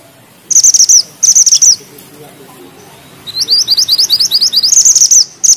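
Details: Mountain bushchat (mantenan gunung) in loud, tight rolling song with sharp notes: two buzzy high trills, a short pause, then a long, fast, rattling series of rapid high chips blending into another shrill buzzy trill.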